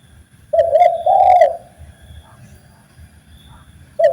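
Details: Spotted dove song from a master recording for training birds: a clear low coo phrase, a short note then a fuller hoot, with faint clicks and the next phrase beginning at the end.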